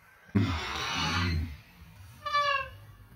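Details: A male pet cockatoo tries to say "I love you", a phrase he often says, giving a harsh, raspy phrase lasting about a second and then a brief clear nasal note.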